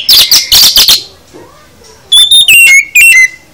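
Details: Oriental magpie-robin singing a full song with fill-in phrases, used to stir other kept birds into answering: harsh buzzy chattering bursts, a pause, then loud clear whistled notes sliding down in pitch.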